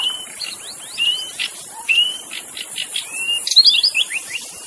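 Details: Wild magpie-robin in forest: clear sustained whistles mixed with upslurred notes and soft raspy bursts, ending in a quick tumbling cluster of high twitters, all over a constant hiss of insects.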